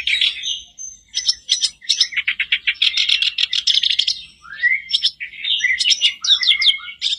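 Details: Sooty-headed bulbul song played as a daily lure to get a caged bird singing: rapid bright chattering notes and buzzy trills, with short rising and falling whistles near the end.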